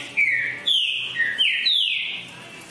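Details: Green-winged saltator giving a short run of four or five full, ringing whistles, each note gliding downward, the last one higher and longer.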